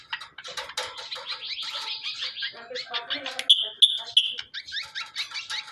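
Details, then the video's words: Greater green leafbird, raised by hand, delivering rapid chattering phrases that give way to a few sharp, high whistled notes, then more quick twitters. "Suara burung cucak kombo, hasil dari lolohan"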